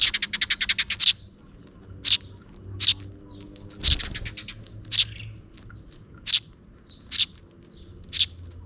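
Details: Two sparrow chicks beg while a parent feeds them near dusk. A rapid run of about ten quick chirps opens, then single high chirps follow about once a second, with a brief thump and low hum.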